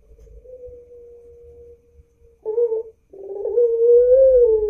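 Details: White ring-necked dove recorded at Pandaan, East Java: a long, steady hummed note, then a short louder burst, then a wavering, rising and falling coo, with faint low rumble underneath.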